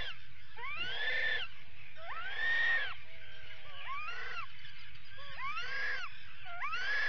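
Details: Atlantic puffins on a burrow cam during an attack at the burrow, 19 July 2019: a series of groaning, arching calls rising and then sliding down, roughly one every second or so, some with wavering tones, over steady low noise.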